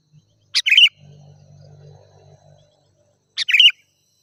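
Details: Bulbul sounds played to lure wild birds: two quick gurgling chirped phrases about three seconds apart, with a soft low droning noise in between.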